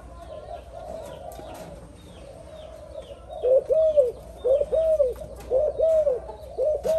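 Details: A new Spotted dove only just daring to coo alongside an older one. After about three quiet seconds with faint chirps, it gives soft, low, arched hooting coos in close pairs and triplets, repeated steadily to the end.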